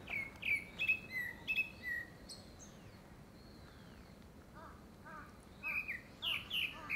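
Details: Grey-backed thrush singing a courtship song, likely for a second breeding; clear whistled phrases with slurred, falling notes in quick bursts, a pause with a thin drawn-out whistle, then a fresh run of bright fluty notes.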